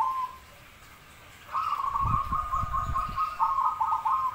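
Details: Zebra dove singing: a short note, a pause, then a long, steady, quavering trilled coo held for nearly three seconds, with dull thumps underneath.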